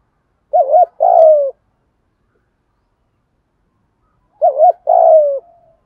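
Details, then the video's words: Spotted dove giving calling coos in thổ and thúc style, aimed at training wild-caught birds that seldom coo; two identical phrases about four seconds apart, each a quick double hoot and a long, falling, burred coo. "Tiếng chim cu gáy giọng thổ, giọng thúc + gáy gọi rất chuẩn để tập những con bổi lười gáy"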